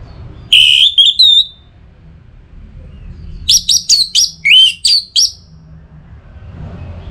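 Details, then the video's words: Orange-headed thrush, a caged bird in breeding condition calling a rival, from North Bali, Singaraja: loud clear whistled phrases, a slurred rising-falling opening then a run of rapid varied notes, short pauses between bursts. "ANIS MERAH Gacor Pancingan Birahi & EMosi Burung || Kicau memanggil lawan"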